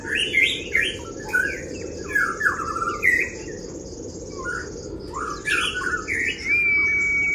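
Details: Oriental white-eye in full 'kriwik' song, played to provoke rival birds: varied quick chirps and short twittering phrases, rising and falling, over heavy low rumbling background noise, ending with a thin sustained whistle.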